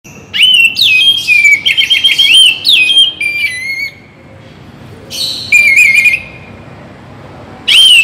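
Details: Song of an Oriental magpie-robin, aimed at rousing listless birds into singing morning and evening; dense series of strong whistled phrases with wavering trills, a pause, then more rippling notes and a final loud burst.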